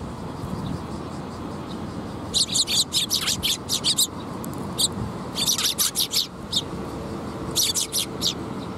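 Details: Fledgling sparrow giving bursts of rapid high chirps, three clusters of quick repeated notes separated by pauses, over steady low traffic-like rumble.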